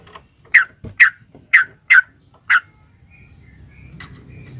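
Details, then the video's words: Sooty-headed bulbul, a female calling a male, used to provoke a caged bird into singing: five loud, short, throaty chirps about half a second apart, then quiet with a faint low hum. "SUARA trucukan gacor ROPEL PANJANG pancingan trucukan agar bunyi"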